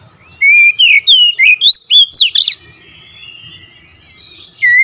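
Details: Oriental magpie-robin singing fiercely: about eight quick, loud, slurred whistles, some swooping up and down, followed by a quiet drawn-out whistle and one more sharp phrase near the end.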